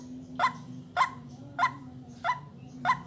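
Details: Lure recording of a white-breasted waterhen for vocal training of birds: rough, clipped croaking notes repeated about every half second, over a low steady hum and a thin high tone.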